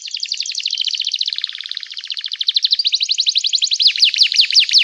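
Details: Canary singing continuously to stir other canaries into song: dense rolling trills with no break, changing speed and pitch from phrase to phrase, ending in quicker, sharper chirps.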